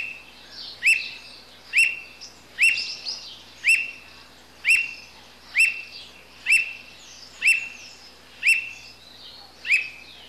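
Squirrel cuckoo giving sharp, high notes that slur downward, repeated about once a second.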